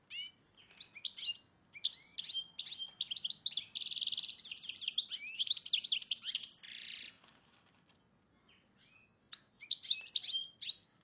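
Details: Breeding-condition goldfinch x red agate canary hybrid pours out a continuous high twittering song with dense buzzy trills and rattling passages, then a pause and a short final burst of chirps.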